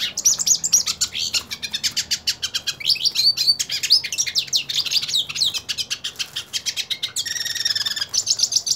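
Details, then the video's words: Song of a purebred hooded siskin eager to fight another siskin: a long, rushing medley of sharp high chirps, upslurred whistles and rattling trills, closing with a harsh buzzy passage near the end. "Cabecita Negra Canta Y Quiere Pelea / Pintassilgo Quero Lutar"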